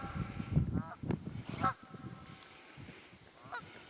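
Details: Wild geese calling in the Quehanna Wild Area, Pennsylvania, 27 February 2018: a few scattered honks rise over steady low rumbling noise that dominates the opening seconds.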